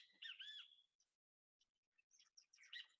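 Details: Great kiskadee in built-up San José, Costa Rica, gives the call behind its name: a loud, strident, ringing call, then a pause and harsher, buzzy notes; chickens audible in background.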